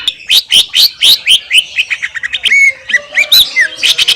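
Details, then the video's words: Greater green leafbird singing in Indonesian nature: a run of evenly spaced sharp chirps, slightly more than one per second, then a smooth falling whistle and scattered bright notes. "KUMPULAN SUARA MASTERAN CUCAK IJO JERNIH"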